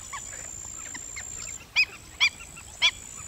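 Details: Black-winged stilt uttering three loud, sharp yelping notes spaced about half a second apart after softer calls, against a continuous high-pitched whine.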